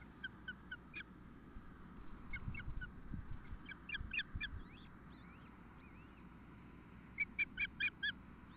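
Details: Osprey at a nest 2 km west of Nelson, British Columbia, during the first feeding of the afternoon on 12 June 2014; short whistled, slightly rising chirps in bursts of three to five, with steady low rumble throughout.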